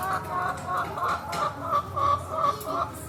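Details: Chickens loaded into a car, ready for slaughter, give a steady run of short, nasal clucks, about three each second, with soft bursts of noise between them.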